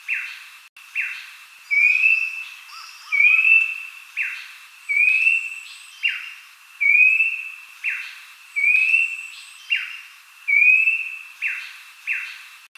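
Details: Abbott's babbler repeating a clear, rising whistled phrase roughly every second and a half, a lure call used to draw other babblers into song.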